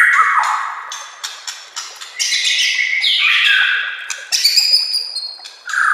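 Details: White-rumped shama master song for training, set against nature sounds and gurgling water: a dense, fast medley of chirps, rich whistles and falling slurs, with sharp clicks between phrases.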